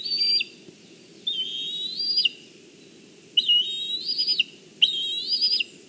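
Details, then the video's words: Juvenile black kite perched on a branch in Kurzeme, Latvia, mid-July 2023, calling as its mother delivers fish; four high, drawn-out whistled notes with a tremulous, slightly rising quality, separated by short pauses. "Mom with fish, Bronza on a branch calls, but does not go to eat"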